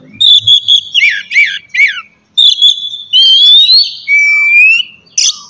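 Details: Oriental magpie-robin song for morning training of kept birds: clear repeated whistled notes and downslurred chirps, followed by long pure whistles that rise, then a single lower sustained whistle.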